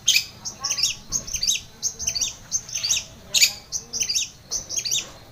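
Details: A lively long-tailed shrike sings a lure recording for a silent shrike. It gives a fast, varied string of high squeaky chirps and short upslurred whistles in repeated clusters, with faint lower notes and a soft background hum.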